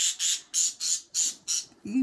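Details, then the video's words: Pet parrot calling loudly and happily in the morning: six harsh, evenly spaced squawks about a third of a second apart, ending in a lower, rounder squawk. "Maria just got loud and happy"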